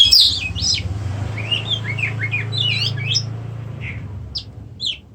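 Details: Oriental magpie-robin, or kacer, gives short squawky and buzzy slurred notes over a steady low hum, with a few sharp chirps near the end.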